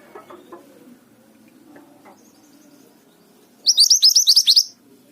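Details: Mountain tailorbird singing: after near silence, one rapid run of about nine sharp, very high, descending notes lasting about a second.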